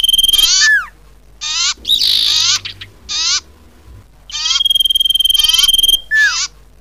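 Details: Common iora call for luring birds into traps. Rapid, scratchy, buzzy bursts alternate with long thin whistles, and a falling clear note is heard twice.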